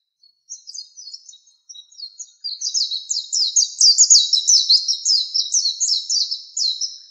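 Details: Master training song of an Oriental white-eye for cage birds: scattered soft, thin chirps at first, then a loud, fast, high twittering warble of quickly repeated sliding notes running to the end.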